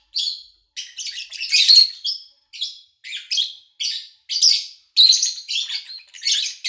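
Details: Lovebird chirping recorded in August 2019 over three days, morning to evening, in a quiet household; a steady series of scratchy high chirps and squeaks, each about half a second long, repeated with short gaps.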